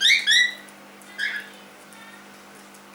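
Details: Pet cockatiel aged three months giving two quick falling whistled notes, a single louder downslurred call shortly after, then silence before a final clipped note.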